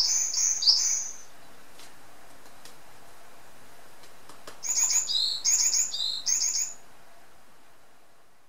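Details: Caged varied tit at home singing a short burst, a pause with faint clicks, then another phrase of high whistled note pairs repeated four times over a soft background hiss.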